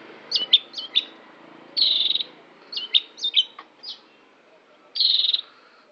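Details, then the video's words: Long-tailed shrike song of short downslurred whistles mixed with two longer, buzzy, harsh rattling bursts. "Burung Cendet"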